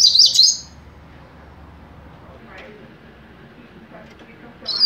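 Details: A young double-collared seedeater's mateiro song: a brief, high, trilling phrase opens, followed by near-silence with a soft low murmur, before the next phrase begins right at the end.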